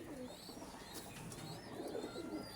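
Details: Gangchil domestic pigeon coos low and soft in throaty bursts in a busy loft where many males call together, with faint high chirps from other birds behind; recorded July 4, 2024.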